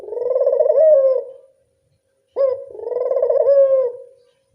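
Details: Two coos from a local Barbary dove, a lure call for doves: each a rolling, pulsing croon with a short upswept start, separated by about a second of silence.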